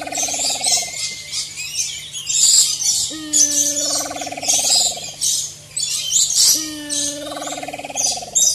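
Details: A wild Maleo gives three long, low, drawn-out calls that fall slightly in pitch, about three seconds apart, over steady high chirping of insects and small birds.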